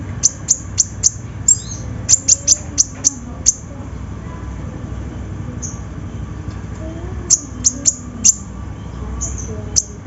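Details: Sunbird, called konin, in a lure recording meant to prompt singing: sharp, very high ticking notes in quick bursts of four to six, separated by short pauses, over a low steady background hum.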